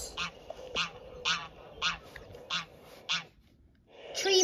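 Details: Greylag goose honking: a run of six nasal, harmonic honks, each short and spaced roughly every half second, followed by a brief quiet pause and a rising rustle at the end.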